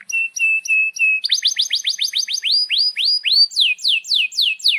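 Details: Canary song meant as a master recording for young canaries learning to sing: steady whistled notes repeated, then a quick run of rising chips turning into slower, sweeping downward slurred notes repeated about twice a second.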